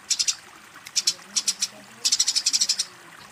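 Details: Eurasian tree sparrow fighting and calling a rival: short high chirps in quick clusters, a few at the start, pairs near one second, then a run of about ten rapid chirps after two seconds.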